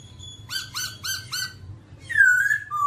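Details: Babbler singing, described as dancing: four quick harsh upslurred notes in a row, then a long loud whistled note that dips and rises.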